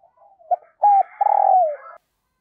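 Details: Single loud coo phrase from a decoy spotted dove calling to new wild birds, with faint soft notes, a sharp clipped note, then a long burry coo that slides down before a brief higher tail.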